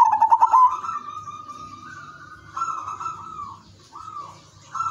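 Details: Zebra dove known as perkutut udanmas silver, a lure singer prompting other doves to join in; opens with rapid stuttering pulses, then long level coos broken into three phrases, with a low background hum.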